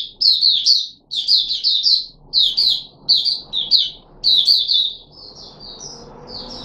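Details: Kept red-whiskered bulbul, Puteh Raja, recorded 13 April 2021 in a fruit juice and mealworm feeding trial. It pours out loud, bright, bouncing phrases of quick descending notes, then trails into softer, thinner warbles over faint background noise.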